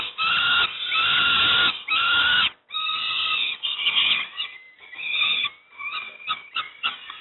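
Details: Fledgling peregrine falcons at Moszna near Pruszków, Poland, fed breakfast, produce long harsh wails that break into quicker, choppier rasping notes with a faint thin whistle underneath.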